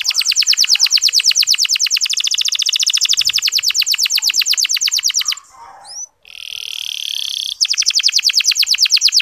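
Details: Clear, long-lasting local canary song used as a lure to make male canaries sing: an even, very fast trill runs for about five seconds, breaks for a buzzy phrase, then resumes.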